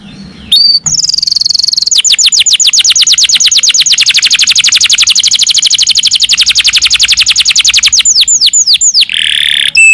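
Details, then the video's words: Canary song used as a lure to get lazy, sluggish canaries singing: a brief high note, then a long, fast, even trill of sharp repeated notes lasting about six seconds, ending in slower separate notes and a buzzy phrase. "Sekali putar kenari yang malas bunyi langsung nyaut"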